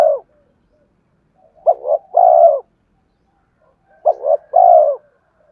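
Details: Spotted dove song meant to lure wild birds, two clear phrases of a brief double coo and a longer falling coo, separated by silence.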